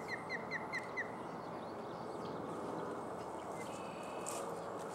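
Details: Osprey at Barr Lake, Brighton, Colorado: a quick series of five sharp, downslurred whistles in the first second, then steady outdoor background noise.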